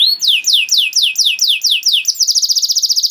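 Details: Canary performing a training song for young canaries: loud high notes sweeping downward about three per second, then a quick buzzy trill of short, very high pulses.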